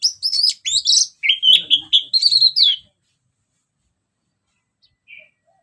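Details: ['Orange-headed thrush giving lively ngeplong song, used to prompt other birds. Nearly three seconds of rapid bright whistled and warbled notes in a dense run, then quiet apart from one faint short note.']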